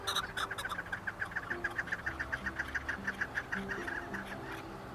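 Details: Chukar partridge starting with a few loud clucks, then settling into a long, regular run of quick chuk notes, around three to four per second, against a low droning hum.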